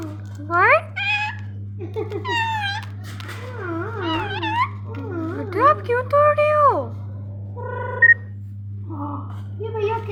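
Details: Talking pet rose-ringed parakeet mimicking speech and meows: a string of warbling, voice-like syllables with sliding pitch and short pauses, over a steady low hum.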